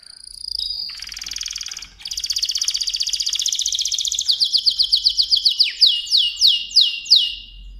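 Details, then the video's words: A mosaic canary sings a bright, high song: a thin whistle and fast buzzy rattles, then a run of quick downward-sweeping notes at about four per second. "تغريد كناري موزاييك Chant de Canari Mosaïque"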